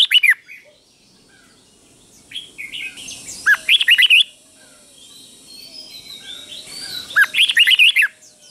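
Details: Red-whiskered bulbul from Thailand giving the repeated 'beul' song for fledglings to learn: three short bursts of lively, fluting, slurred whistles a few seconds apart, with soft background noise between them.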